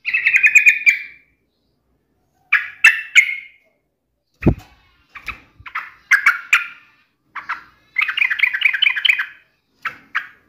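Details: Yellow-vented bulbul in full song, taunting a rival: bubbly, warbling phrases of quick liquid notes come in bursts with short gaps, plus one dull thump midway.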